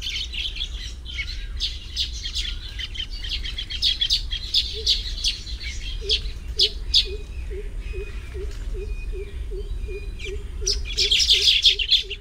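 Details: Baya weavers at their nests in tropical habitat chatter in scattered high chirps and buzzes. From midway, a separate low, soft note repeats steadily about twice a second, and the chirping swells into a dense burst near the end.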